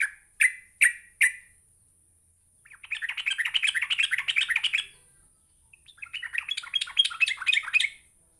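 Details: Sooty-headed bulbul call meant to provoke a lazy bulbul into answering: four short, loud whistled notes, then a pause, then two bursts of fast, scratchy, chattering notes, each about two seconds long.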